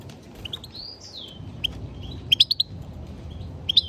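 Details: European goldfinch singing: thin slurred whistles and a buzzy rising-falling note, then short bright tinkling chirps in a quick cluster and a final twitter, against a quiet low background murmur.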